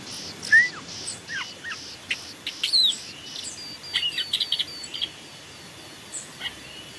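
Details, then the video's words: Long-tailed shrike song from a forest training recording: a rising whistle and downslurred notes, a scratchy burst, then clusters of quick high chips, over a steady pulsing insect-like buzz. "masteran burung cendet"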